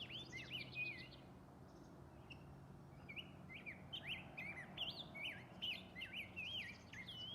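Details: Rose-breasted grosbeak, hard to see in a garden, sings very softly in sweet, robin-like warbled phrases, rising and falling, about two or three a second, with other small birds chirping and a low steady hum.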